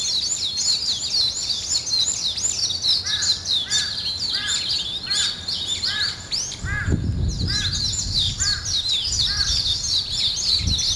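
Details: Morning birds: high, busy twittering overhead, with a lower repeated two-part call about every half second from another bird, and a brief low thump of noise midway.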